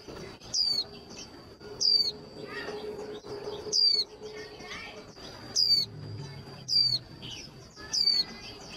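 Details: Female white-eye voice played to fire up males for fast trilling in singing competitions: six bright, quick, falling chirps spaced about one to two seconds apart, with soft chatter and a steady high whine behind them.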